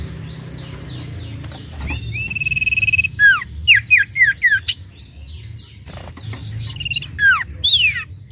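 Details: Sooty-headed bulbul singing, used to provoke other birds into song: scattered soft notes, a quick rattling trill, then a run of bright down-slurred whistles and looping phrases, with clicks and low background hum.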